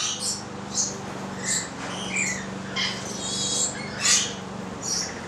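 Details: Stella's lorikeet eating bread, recorded 25 April 2014: short high chirps and squeaky notes scattered irregularly, about one every second, over a steady low hum.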